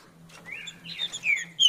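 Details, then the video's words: Green-winged saltator, known locally as trinca-ferro, in the farrapo song style: loud clear whistled slurred phrases sliding down and up, ending in a sharp high note, over a faint low steady hum. "Trinca Ferro Farrapo"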